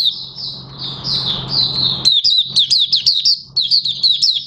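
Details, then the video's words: Oriental white-eye, its fresh white feathers nearly fully coloured, opening into song on 30 August 2022. A drawn-out high warbled trill gives way to quick repeated chirps, about two per second, with a low background hum. "Mata Puteh Raja Buka Sing"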